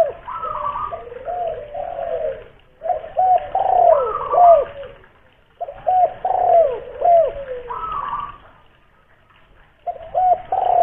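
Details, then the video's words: Local spotted dove from Kuningan, West Java, a loud-voiced lure bird, giving deep cooing phrases: wavering hoarse coos with higher, brief notes above, in bursts separated by short silences. "raja pancingan burung tekukur / derkuku"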